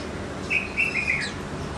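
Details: Brief goldfinch mule phrase: three or four clear, ringing high chirps in quick succession, ending with a short rising note, with light background hum.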